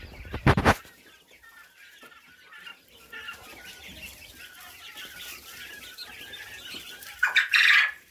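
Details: Three-week-old common quail chicks give soft, high chirps and peeps that rise to a louder burst at the end, with a loud wing-flapping flurry at the start.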